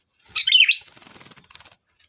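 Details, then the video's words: Kutilang, or sooty-headed bulbul, giving a lure song to prompt others to sing: one brief bubbly warbled phrase followed by soft rustling and fluttering sounds. "Suara burung Kutilang Gacor || Suara pancingan Kutilang bahan"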